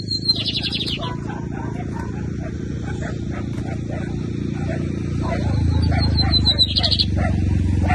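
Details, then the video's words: Lined seedeater (bigodinho) in a song competition, 2023 season: a quick trilled burst, then scattered chirps, and later a run of whistled notes ending in another short trill, all over loud low rumbling noise. "Assistam o bigodinho Camelão x Torneiro Temporada 2023"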